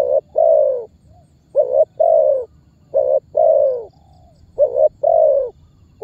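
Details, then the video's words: Calling and pressing Spotted dove cooing, a lure meant to make other birds answer; repeated low two-part phrases, short soft note followed by a drawn-out descending coo, about four pairs, with a faint whistle between them and clean background. "SUARA BURUNG TEKUKUR MEMANGGIL DAN MENEKAN MEMBUAT BURUNG LAIN IKUTAN BUNYI"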